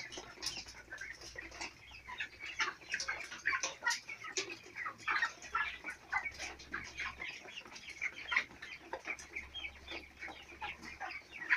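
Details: Flock of four-week-old farm chicks peeping continuously: busy, overlapping high chirps in an uneven stream, occasional sharper notes standing out, over a low steady hum in the background.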